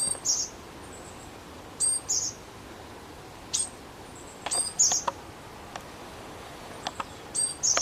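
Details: Japanese tit calling: short, thin, very high notes in small clusters, repeated every one to two seconds, with a few faint sharp clicks between them over a quiet, steady background hiss.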